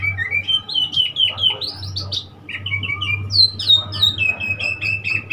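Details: Oriental magpie-robin recorded on 3 March 2021, singing a continuous run of clear, varied whistled notes, some sliding up and others dropping, phrases changing pitch every second or so over a steady low hum in the background.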